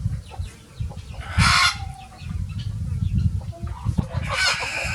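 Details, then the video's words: Free-ranging chickens of several breeds on a sunny farm; two loud harsh squawking bursts around one and a half and four and a half seconds, between soft scattered clucks, over steady low rumbling background noise. "Chicken sound effects"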